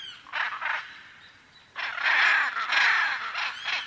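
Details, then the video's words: Harsh grating squawks from a macaw, two short bursts followed by a longer run of loud rasping calls. "Arara Cantando"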